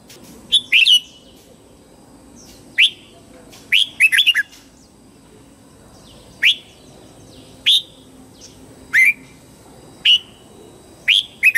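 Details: Red-whiskered bulbul morning song for training young white-cheeked birds: a long run of about ten brief, bright, slurred chirp phrases at uneven intervals, some single notes and some quick doubled or tripled.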